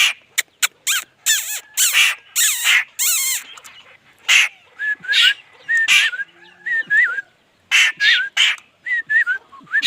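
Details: Laughingthrush song mixing sharp, loud bursts with clear whistled notes that wobble and rise and fall, repeated in quick uneven series.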